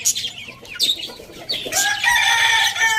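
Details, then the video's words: Morning crow of a rooster, a loud, rich call that starts low and rises, then holds steady through the final second, after scattered high-pitched chirps from other birds. "Rooster crowing sound in the morning"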